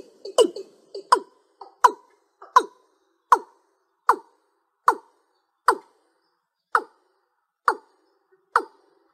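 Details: Watercock (Gallicrex cinerea) call used as a trapping lure: a series of short, hollow knocking notes, doubled at first then single, about one every three-quarters of a second, slowing slightly.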